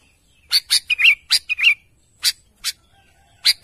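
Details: Sooty-headed bulbul calling to its companions, mixing sharp harsh chips with two short warbled whistles, then a few spaced chips.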